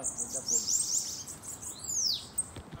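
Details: Bananaquit in a campeada singing session: a quick series of very high, thin, hissing notes, then a long descending sibilant sweep, with faint voices in the background.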